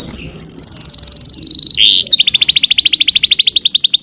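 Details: Canary performing a long 'nembak' song meant for tutoring murai birds: a shrill buzzy trill held high, a brief harsh rasp, then a fast rolling series of bright chirps continuing to the end.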